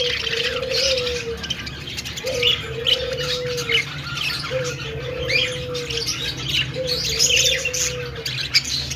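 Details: Budgerigar singing and dancing: continuous high, twittering warble alongside a low, drawn-out tone that recurs four times at regular intervals.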